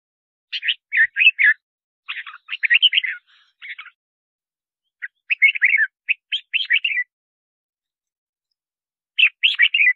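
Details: Red-whiskered bulbul song for calling wild birds and training singers: dense runs of lively chirped and whistled notes in bursts of one to two seconds, several phrases with short gaps, no other sounds.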